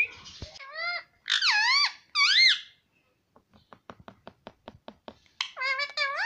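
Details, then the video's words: Pet parrot that is said to say papa and mummy, indoors: squeaky, wavering high calls in short bursts, a pause with a series of soft tapping clicks, then more shrill, warbling notes. "papa bolne vala parrot || nonstop mummy bolta mithu"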